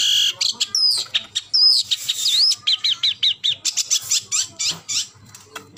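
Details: Long-tailed shrike in energetic song: bright looping whistles give way to a fast run of repeated chirping notes, roughly a dozen in quick succession, over a faint low background hum.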